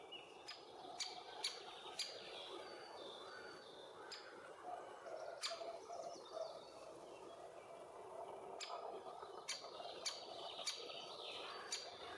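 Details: At a nest hole shared with bees in Puszcza Bydgoska forest, Bydgoszcz, Poland, summer 2023, a young male great spotted woodpecker and its mother give about a dozen sharp, clipped kik calls, some in quick pairs, with soft woodland hum behind.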